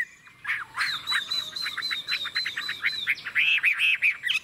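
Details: Chinese hwamei with a forest-type voice, singing a long ngũ trường phrase: a fast run of rapid, bright chattering notes, roughly four per second, over a steady low background hiss.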